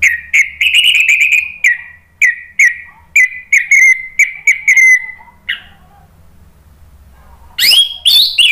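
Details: Orange-headed thrush singing as a lure for other birds to reply: a run of about ten clear whistled notes, evenly repeated near half-second intervals, then a pause and a final burst of sharp, sweeping phrases.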